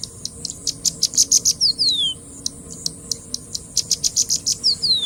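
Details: Singing bushlark, known locally as branjangan, singing actively: rapid bursts of sharp, high clipped chirps in two runs, each closing with a couple of descending slurred whistles, over a faint low steady hum.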